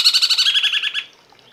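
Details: Cungkok from a masteran song-tutoring recording: a fast harmonic trill that slowly drops slightly in pitch and fades after one second into quiet.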